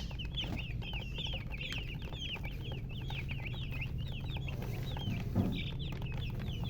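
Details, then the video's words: Colored chickens giving rapid, high, thin chirps, many overlapping peeps repeated several times a second with a slight downward sweep, over a steady low hum. "silly chicken chirping sounds with murgi hen color chicken"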